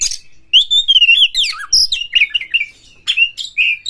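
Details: Loud song of an Oriental magpie-robin, used as a lure to stir rivals to fight: a clear sweeping whistle followed by a rapid jumble of warbled, slurred notes and scratchy chirps.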